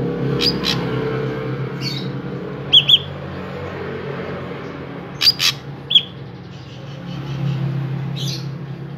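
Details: Drongo in full, active song, used as a lure to get other drongos singing: sparse, sharp high chirps and short paired notes scattered over a steady low hum.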